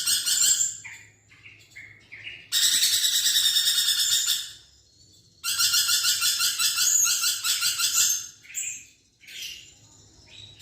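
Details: A lorikeet's busy chatter, recorded for training a songbird: two long spells of dense, harsh, buzzy pulsing, each about two seconds, with short thin whistled notes before, between and after, over a low steady hum.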